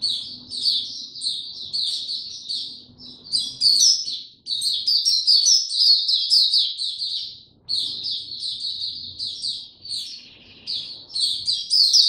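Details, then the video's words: White-eye kept as a cage bird delivers extended, rapid high-pitched twittering phrases, some lasting several seconds, with a low background hum in places. "Mata Puteh Hercules buka sing"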